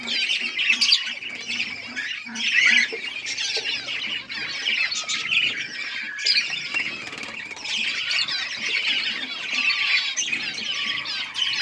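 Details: A captive zebra finch colony in an aviary setup with a nest, recorded 15 October 2023, gives a dense chorus of short, nasal, high-pitched beeps and chattering calls without pause.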